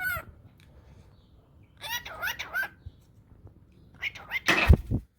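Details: Two pet talking cockatiels chatting while playing together, in short harmonic bursts with squawky rising notes and a sharp burst near the end.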